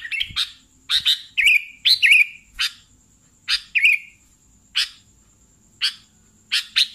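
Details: Sooty-headed bulbul singing energetically: clipped chirps and short slurred phrases given in irregular groups with quiet gaps between, over a faint thin high hum.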